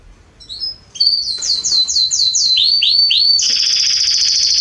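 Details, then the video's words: Canary in a garden in September 2020 sings soft opening whistles, a run of rising looped notes, three swooping phrases, then a sustained high buzzy trill. "Canaries singing in my garden"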